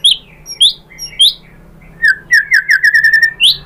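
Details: White-rumped shama song to stir other shamas into answering: a few separate sharp upward-slurred whistles, then a quick series of repeated clipped notes and a final high slur.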